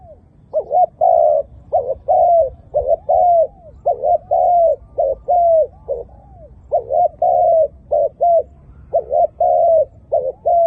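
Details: Long sequence of mellow cooing from a Malaysian dove, clusters of brief notes and sustained level coos repeating steadily for over ten seconds with only faint background noise.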